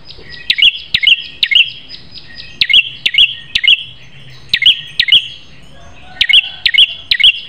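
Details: A prinia's piercing tutor song, meant to train caged birds into fighters: quick bursts of two to four sharp, high ticking chirps, delivered rapidly with brief pauses between bursts.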